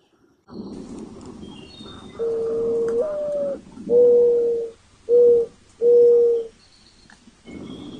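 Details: Dove perched on a branch, cooing: a series of soft, hollow, steady low notes, the first long and stepping up slightly, then shorter coos with brief pauses.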